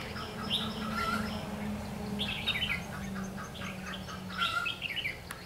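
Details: Red-whiskered bulbul recorded during trapping on 21 March 2016: bright, warbled phrases in short bursts, a few notes at a time, over a steady low hum and background noise.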